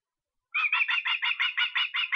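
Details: In Estonia on 23 August, an osprey begins after a brief silence with a quick string of piping whistled notes, each slightly downslurred, repeated steadily about five times a second.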